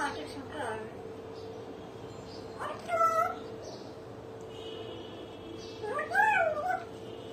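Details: Pet common hill myna, which also talks and laughs, giving two wavering, whining, whistled notes like crying, a few seconds apart, over a constant electrical hum and low room noise.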